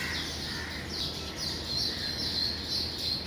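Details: Weaver birds flying in and out of their nests in the morning, giving a rush of shrill, overlapping chirps that grow louder toward the end over a quiet background hum.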